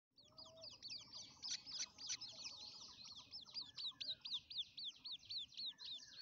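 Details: Grey francolin chicks, locally called teetar babies, give rapid high peeping calls, each a thin note slurring downward, about four per second in a steady chorus with faint lower chirps beneath.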